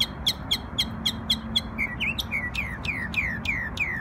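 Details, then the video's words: New York bird singing on Memorial Day, starting with a quick even series of sharp high chips, then switching to a run of clear whistles that drop steeply in pitch, repeated roughly four times a second, with a faint low hum behind. "NY Bird Sings Beautiful Songs on Memorial Day"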